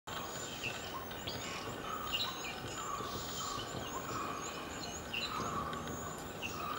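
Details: Indian grey hornbills recorded in January 2013 at Vaccine Depot, Belgaum, Karnataka, India: short squealing, harmonic notes come in loose bursts over a steady background hiss, with faint high ticking sounds running throughout.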